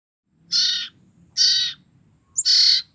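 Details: Common iora, two-week-old sibling young birds kept to lure their parents: three harsh, raspy, broadband bursts about half a second long, spaced roughly one second apart, over quiet background.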